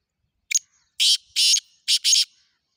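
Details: Black francolin giving a full harsh call phrase: a brief double click-like note, then four rasping buzzy bursts in two pairs, spaced about half a second apart, in clean silence.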